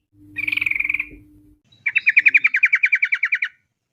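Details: Sooty-headed bulbul 'ropel' song used as a lure to set bulbuls singing: a short quick trill, then a longer run of about sixteen evenly spaced, sharp repeated notes, with a low hum early on.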